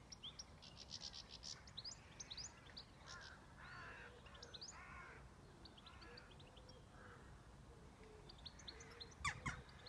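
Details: Farmland birds: bursts of high, quick chirping notes mixed with rasping caws, soft low hoots in the middle, and a sharp click near the end over faint rumbling noise.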